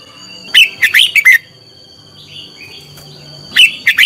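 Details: Red-whiskered bulbul lure bird in contest song, used for training birds: a rapid phrase of bright slurred whistles, a quiet stretch with faint soft notes, then another lively whistled phrase begins.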